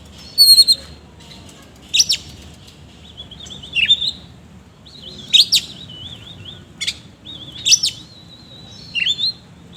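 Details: Oriental magpie-robin (kacer) singing vigorously in the 'isian kasar' rough filler style: loud bursts of sharp chirps repeat about every two seconds, with level, wavering whistled phrases drawn out between them, over a faint low background hum.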